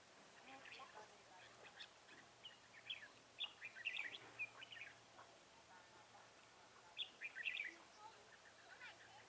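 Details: Red-whiskered bulbul recorded during trapping with a lure bird on 10 December 2017: bright, quick chirped notes in short scattered bursts, with louder clustered phrases near the middle and toward the end, over steady background noise.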